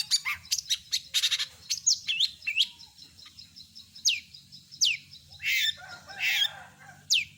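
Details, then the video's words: Long-tailed shrike in mimicry song: quick chirps and buzzy notes at first, then repeated sharp downward-slurred whistles spaced about a second apart, mixed with scratchy trills imitating other birds. "Masteran burung CENDET gacor isian lengkap"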